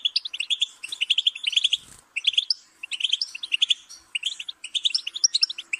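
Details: Goldfinch song: rapid, tinkling twitters and chirps in bursts with brief pauses, notes jumping between high and very high pitches.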